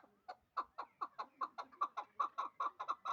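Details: Hybrid partridge, two years old, bred for fighting and hunting and kept in Dushanbe, calling with sharp separate chuk notes that start slowly and quicken to about three a second as they grow louder.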